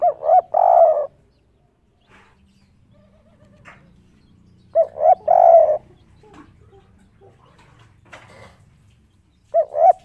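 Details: Spotted dove cooing intensely from a rooftop in the 'kuk 3' style, described as melodious and rare: low mellow multi-note coo phrases, each about a second long, repeated roughly every four to five seconds with faint background noise between.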